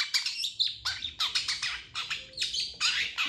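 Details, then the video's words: Cendet, the long-tailed shrike, in full master song for tutoring other cage birds: rapid bursts of scratchy, buzzy notes, roughly eight in three seconds, sharp and high. "MASTERAN CENDET GACOR"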